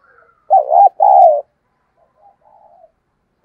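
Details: Decoy spotted dove cooing excitedly: a loud two-part coo, a wavering first note then a longer level one, followed by faint softer notes and the start of another coo.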